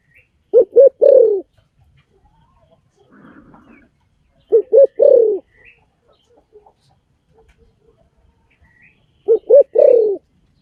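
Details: Spotted dove, in a recording meant as a decoy call, gives three low cooing phrases spaced roughly four and a half seconds apart. Each is two brief coos and a longer sliding coo, with soft rustling in the gaps.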